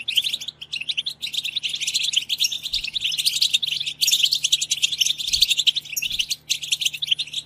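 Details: A European goldfinch chorus in the 'batbata' style, aimed at stirring goldfinches to song. Thick, unbroken twittering of many birds, with high tinkling notes and rapid chirps, and a couple of soft low knocks.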